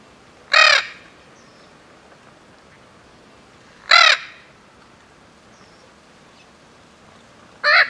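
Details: An endangered Spix's macaw gives three harsh, raspy squawks, each about a third of a second long and spaced roughly three seconds apart, against a quiet background.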